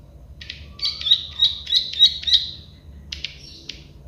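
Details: Plain prinia, locally called prenjak sawah or klik-klik bird: a quick series of buzzy, clicking notes around six in a row over two seconds, followed by a short pause and a few scratchy notes, with a faint low hum behind.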